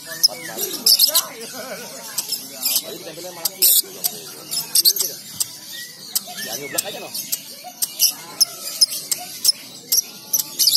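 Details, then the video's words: Lovebird calling out to a rival and drawing answers, used as a lure to set off long chattering 'ngekek'. Shrill sharp chirps burst repeatedly over a busy background with murmuring voices. "Lovebird Memanggil Lawan, Auto nyaut,pancingan paud ngekek"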